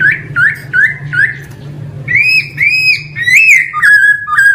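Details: Male laughingthrush song of quick hooked whistles in a series, then longer arched notes rich in overtones, loud and close, with low hum beneath.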